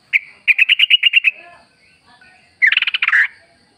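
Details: Sooty-headed bulbul singing wild-style, played as a lure to prompt caged birds to answer: one sharp note, then a fast run of about nine bright chirps, a pause, and a buzzier tumbling burst.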